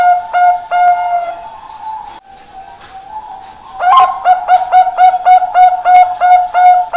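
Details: Bangkok-type zebra dove, one year old and groomed as a contest champion, gives a few spaced mellow coos, goes quiet for about two seconds, then delivers a fast regular series of ringing, hollow notes.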